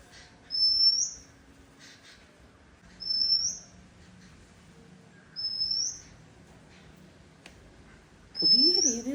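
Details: Oriental magpie-robin singing a repeated high, upward-flicking whistle roughly every two to three seconds, four phrases in all, with a lower wavering sound appearing alongside the final phrase.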